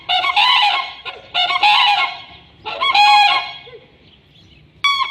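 Common cranes give loud, rolling, trumpeting bugles in three bursts about a second apart, rich and harsh, ending with a short sharp note.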